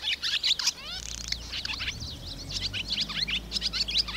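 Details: Barn swallow chicks in a nest above the door into a milking parlour on a rainy day, filmed on a Sony DV camera: a dense chorus of high, sharp chirps and rapid squeaky twitters, with a steady low hum underneath.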